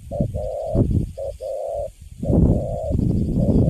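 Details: A spotted dove, newly caught and kept in a cage, giving sustained mellow coo notes, some short, some drawn out, over strong low rumbling and handling noise.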